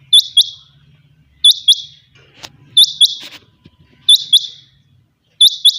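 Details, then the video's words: Kept quails calling early in the morning, a loud, sharp two- to three-note phrase of high clipped whistles repeated about every one and a half seconds, over a low steady hum and faint rustles. "morning sound of Quail bird"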